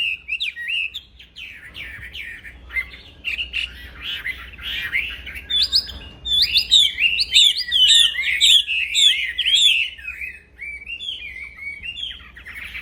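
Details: Nonstop song of a caged black-throated laughingthrush used to train songbirds: chattering whistles that swell midway into loud, rapid, looping phrases, then ease off toward the end.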